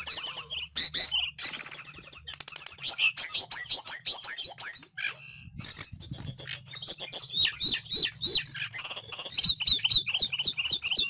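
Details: Sunda blue robin (Indonesian mountain bird) giving a fast, varied high song of clear whistles, sharp chirps and quick trills, nearly continuous, recorded as a tutor song for cage birds.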